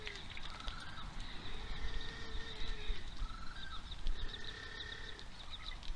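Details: In Oamaru, New Zealand, on 27 October 2023, little blue penguins at feeding time call in long, slightly wavering harmonic tones, repeated with pauses, mixed with higher overlapping notes and steady low ambient rumble.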